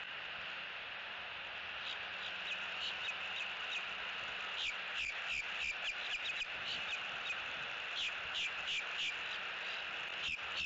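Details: Eagle filmed by nest camera in Southwest Florida on October 6, 2017, during nest building and bonding; after quiet hiss, high, thin staccato notes begin and repeat irregularly through the second half.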